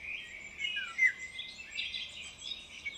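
A female Eurasian golden oriole gives a harsh, raspy, drawn-out call with a brief sharper note near the middle, over light background hiss.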